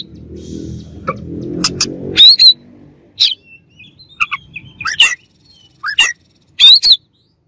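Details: A songbird, named as a white-rumped shama, gives sharp, high, clipped chirps and brief sweeping notes in irregular bursts after an opening stretch of low rumbling noise.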